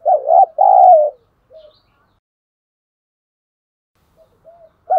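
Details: Decoy spotted dove calling to lure, thổ sấm voice style: one strong two-part coo, a brief quiet note, a long silence, then soft murmurs and the start of the next coo.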